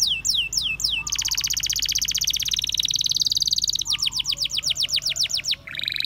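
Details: Canaries singing outdoors in the wild: a few downslurred whistles lead into a long, very fast rolling trill, then a steady string of repeated falling sweeps and a final burst.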